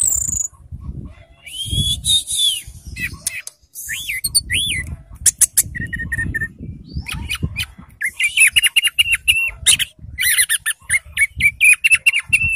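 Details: Orange-headed thrush, a caged bird, singing a varied series of high whistled and arched notes, some scratchy, with fast repeated chirps near the end and low rustling or knocking in the background.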